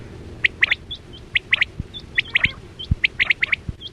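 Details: Hunting lure call of quail, played for netting: bright chirps in quick doublets and triplets, about three groups a second at peaks, with thin high hooked notes from another bird between them.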